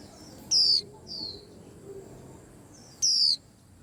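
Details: White-eye calling and stirring up a whole cage rack of birds: two loud, thin, high whistled notes slurring downward, about two and a half seconds apart, with a fainter similar note between them, over a quiet low background hum.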